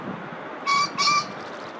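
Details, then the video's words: Male green pheasant crowing at the Sagami River estuary inlet, Yanagishima coast, Chigasaki, Japan, 25 March 2022, in its crow-and-wing-drum display: a loud, harsh two-note crow, two grating bursts in quick succession, over faint steady hiss. "Japanese Pheasant/Male Crowing"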